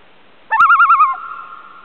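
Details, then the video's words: Loon on Chant Lake, a small lake off a portage of Burntside Lake near Ely, Minnesota, in August 2006. A sharp click comes first, then a fast wavering tremolo of about seven pulses, which settles into a long steady hooting note that fades over a quiet background. "Loon calls"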